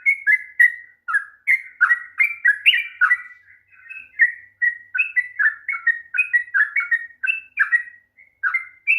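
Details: Rapid long song of the sooty-headed bulbul in 'ropel panjang' style, used to coax a reluctant bird to sing: quick bursts of slurred whistles, some lower and fuller, broken by short pauses, on an otherwise quiet background.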